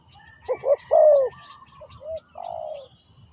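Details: Spotted dove decoy used to lure wild birds: one quieter phrase of low coos, two short notes, a longer falling note, then softer trailing coos, over faint bird chirps and low background noise.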